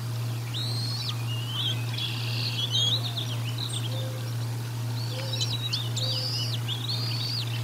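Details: Bald eagle nest at Decorah North during a feeding, nest-cam audio dated 04 01 2022: scattered faint, high arched whistles and chirps, clearer toward the end, within a noisy background and steady low hum.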